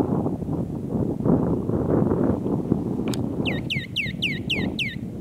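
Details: Western rock nuthatch in Nevşehir, Turkey, 2017, giving a quick run of about seven loud, whistled, sharply bending notes, roughly five a second, after a single click, over a steady low rumble.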